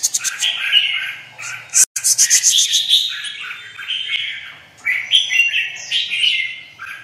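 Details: Excited red-whiskered bulbul bearing white wing feathers: a fast rattling chatter of clipped notes, then flowing whistled warbles that rise and fall, continuing after a short break.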